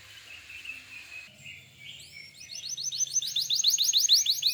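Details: Canary tutoring song meant to prompt silent canaries to sing: quiet faint notes at first, then a rapid rhythmic series of bright whistled chirps building in loudness, about three per second, with a low hum beneath.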